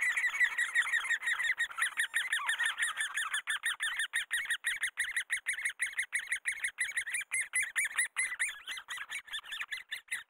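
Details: Great spotted woodpeckers caring for young: long stretch of rapid, grating call notes, roughly three per second, scratchy and even, continuing without pause for over ten seconds.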